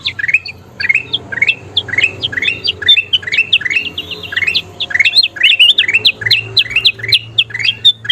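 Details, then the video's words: Bulbul known as kutilang emas in full active song, offered as training material for cage birds: rapid chattering chirps with sweeping pitch, packed closely together with hardly a break. "SUARA KUTILANG EMAS GACOR PALING DICARI"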